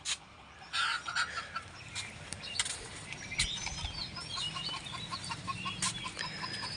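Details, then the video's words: Free-ranging native (desi) hens grazing on grass call together for unclear reasons in short, repeated, slightly squawky clucking notes. "এখানে মুরগিগুলা কেন যেন ডাকাডাকি করছে।"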